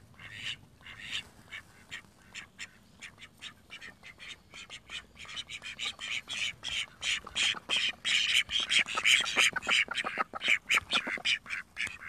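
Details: Call duck in a pool quacking over and over, starting with spaced, quieter calls that build into a rapid, loud, insistent string of harsh quacks toward the end.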